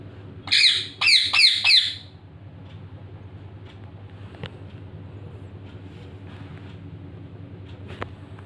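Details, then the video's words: Indian ringneck parakeet calling: four harsh, loud squawks in quick succession within about a second and a half, then near silence with faint low hum and a couple of soft clicks. "natural sound of Indian ring neck parrot"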